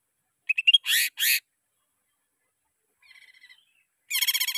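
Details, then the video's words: Greater green leafbird singing as a training lure for caged birds: high whistled chips leading into two harsh rasping bursts, a soft twittering phrase, then a rapid stuttering buzzy rattle. "Cucak Ijo Merdu suara Gacor Ampuh Buat Pancingan"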